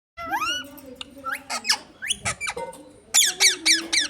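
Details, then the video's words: Parrot mimicking human speech, asking for roti: squeaky, harmonic, speech-like syllables with sweeping rises and falls in quick bursts, a sustained tone beneath the first half, then a run of bright high squawky notes near the end. "Parrot talking mittu ko roti do"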